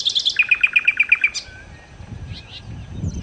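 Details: Nightingale (sikatan londo) delivering a fast, even string of about ten bright piping notes, ending abruptly, followed by faint distant twittering and a soft low background rumble.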